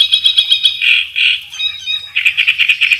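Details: Kerak besi song used as a master training recording: a rapid run of bright chirps, then harsher buzzy notes, and another quick burst of slightly lower chirps, all high-pitched.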